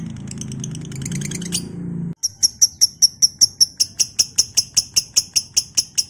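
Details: Lovebird in ngekek style, a long trill played as a training recording to prompt other lovebirds to trill: after two seconds of music and low noise, a steady train of sharp high chirps repeats about two or three times per second.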